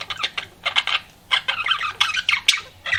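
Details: Pet budgie chirping while flirting: short clustered bursts of scratchy, clicking chatter separated by brief gaps, with a faint low hum underneath.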